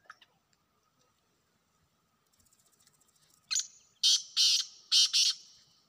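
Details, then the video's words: Call of a wild black francolin: after a quiet stretch with faint rapid ticking, a thin note leads into four harsh, rasping, buzzy bursts grouped in pairs. "جنگلی کالے تیتروں کی آوازیں"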